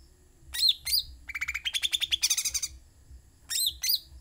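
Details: Sooty-headed bulbul in full song, opening with two sharp rising-falling notes, then a fast rattling trill that climbs in pitch, ending with two more sharp notes.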